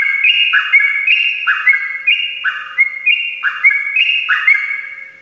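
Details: Morning ropelan song of a sooty-headed bulbul, meant to coax reluctant birds into singing; liquid two-part whistles, a high bright note dropping to a lower slurred one, repeated roughly every second in steady rhythm.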